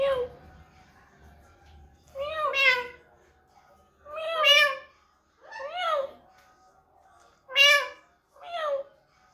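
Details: Talking pet parrot producing various sounds: five drawn-out, harmonic, voice-like squawks, each about a second long, coming every one to two seconds, with a faint low rumble at the start.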